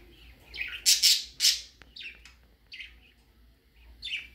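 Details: Baby budgerigar out of its cage for the first time, indoors, giving short high chirps and scratchy squawks in irregular bursts, with a louder cluster near the start and quieter calls following.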